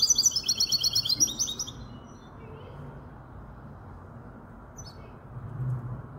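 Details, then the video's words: Goldfinch hybrid, five months old, in Casablanca, giving one short burst of fast, high, twittering trills at the start, followed by near silence with faint low hum and a couple of tiny distant chirps. "تغريد هجين الحسون"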